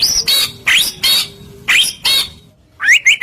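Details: White-rumped shama lure song meant to make other shamas reply: rough, harsh broadband notes repeated in quick bursts, ending with clear repeated rising whistles.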